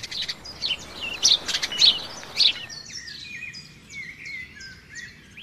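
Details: Riverside nightingale song among trees: a loud cluster of quick sharp notes and trills first, followed by a string of gentle whistled phrases, rising and falling, over a faint low murmur.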